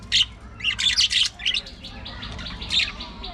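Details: Several budgerigars kept together in an aviary colony chatter busily, with rasping chirps and short squawks crowding together early on, then softer, thinner twittering over a faint low rumble.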